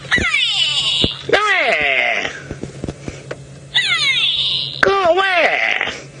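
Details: Grey go-away bird on a sunset safari drive in Djuma Game Reserve, Sabi Sand, South Africa, 24 April 2018. Its call sounds like "go away": loud, nasal, harmonic-rich drawn-out cries, descending and wavering, in two bouts, with a man speaking.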